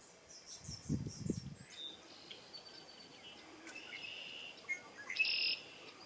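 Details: Male Red-winged Blackbird singing and displaying at cattail marsh margins in South Hero, Vermont: faint high notes, then a short buzzy trill near the end, with low wind thumps early on.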